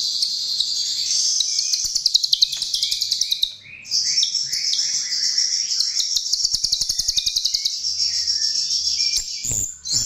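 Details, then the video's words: Chestnut-tailed starling song played as a lure, a dense, high, buzzy chatter with rapid ticking notes, overlaid by short lower whistled slurs and a brief break near the middle. "Ternyata ini Pancingan Jalak RIO RIO"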